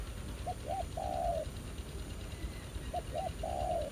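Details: Two low phrases from a spotted dove lured by a ground decoy at a trapping spot: each opens with two quick short hoots and ends in one long, slightly falling coo, with soft rustling background.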